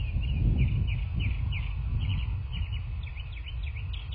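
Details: Bald eagles at a nest in a quiet southwest Florida landscape, picked up by a nest camera on the morning of 9 March 2024: rapid high thin chirping notes, about three a second, in uneven bursts over a steady low wind rumble.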